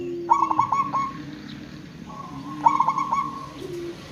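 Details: Zebra dove of local stock calling to lure others into answering: two phrases of fast, trilling coo notes followed by a drawn-out softer tail, about two and a half seconds apart, above a low background hum.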